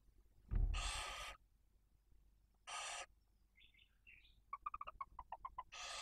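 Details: Barn owl at a nest in Cabañeros National Park, Spain, with chicks one and four days old as the male brings prey for the female and young; long broadband hisses and a rapid run of short ticking chirps, with a low thump.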